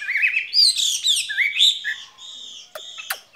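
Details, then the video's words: Skylark in a cage giving loud, bright, twisting whistled phrases, then a thinner sustained buzz broken by two sharp clicks. "lồng son ca bản tình ca mùa xuân"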